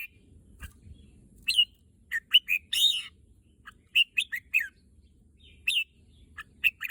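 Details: A red-whiskered bulbul, keen to visit the contest field, sings a string of sharp chirped notes grouped in rapid clusters. One brief harsher burst stands out, and the background is otherwise quiet.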